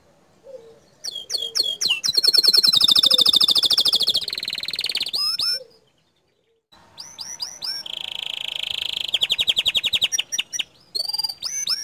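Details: Canary in full gacor song, with quick chirps leading into a long, loud rolling trill, a short gap, then another high buzzy trill and scattered sharp notes.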